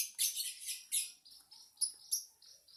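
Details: Lovebird chirping: a few loud, sharp, high chirps and squeaky notes, the first half busier, then spaced single clicks and squeaks.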